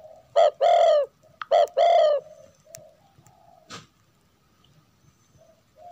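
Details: Female spotted dove cooing to stimulate a male into singing: two loud, low, hollow coo phrases, each a short note followed by a longer drawn-out one, then near silence with a faint click.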